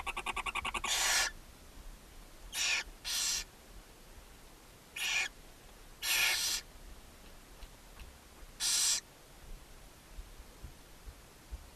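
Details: At a nest box beside a chimney in Ságvár, Hungary, a barn owl mother feeds seven owlets on May 4, 2024. A quick ticking flutter opens, then half-second rasping hisses come irregularly, some in pairs.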